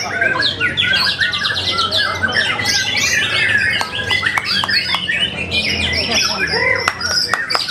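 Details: White-rumped shama (murai batu) singing, a bird described as a promising talent: dense, rapid run of harsh buzzy and squawking notes mixed with sharp clicks and chattering phrases, nearly continuous, with louder bursts around the middle and end.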